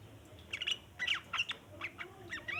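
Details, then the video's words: Sooty-headed bulbul chattering as a lure for other bulbuls: separate short bursts of sharp squawky chirps, about two bursts a second, quiet gaps between, over a soft steady hiss. "burung trucukan ngeriwik panjang cocok buat pancingan trucukan bahan"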